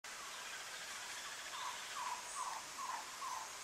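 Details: Cuban tody at Soplillar, Cuba, in July 2017, giving five short, low, slightly burry notes about one every 0.4 seconds over a steady background hiss.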